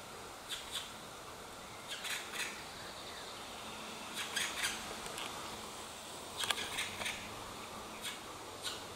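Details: Black woodpeckers give short, harsh, rasping bursts, often in quick pairs, every second or so over a soft hiss, at a nest high in trees. Apparently the parents are calling to urge the last juvenile, thought female, to leave the nest.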